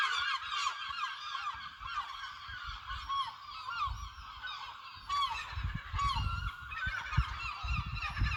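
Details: Crowd of seagulls at Lossie giving overlapping nasal, wavering cries in a continuous chorus, with rumbling low wind or handling noise building in the second half.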